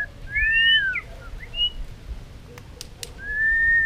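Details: White-rumped shama singing to provoke contest song, with tail-flick clicking: a few clear, long slurred whistles, faint sharp clicks midway, and another drawn-out whistle at the end over a soft hiss of background noise.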